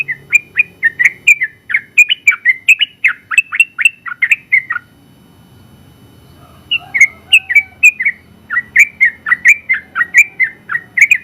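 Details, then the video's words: First-place Sooty-headed bulbul in long 'ropel' song: a rapid, chattering stream of bright whistles for nearly five seconds, a two-second break, then renewed bursts of liquid downward-flicking notes. "KICAU Suara Burung Trucukan Gacor ropel panjang ampuh buat masteran trucuk"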